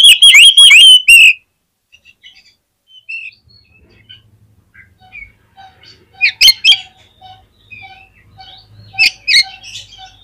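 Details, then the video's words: Oriental magpie-robin singing, a recording meant to get other magpie-robins singing quickly: an opening loud run of slurred whistles, then quieter scattered chirps and two brief bursts of sharp notes, with a low hum in the background. "SUARA KACER GACOR INI SANGAT AMPUH BIKIN KACER LAIN CEPAT NGEPLAY"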